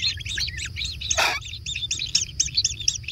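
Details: Begging kingfisher nestlings at feeding time in a natural nest give rapid, high, arched chirps in quick succession, broken briefly by a harsh broadband rasp, with a low rumble beneath.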